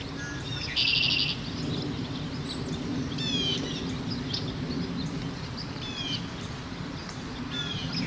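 Red-winged Blackbird giving a loud, harsh buzzy burst near the start, then scattered sharp downslurred chips over a low rumble of background noise.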